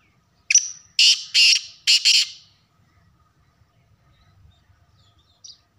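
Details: One full call phrase from a black francolin: a sharp opening note, then three loud rasping bursts, the last split in two, followed by near silence and a faint chirp.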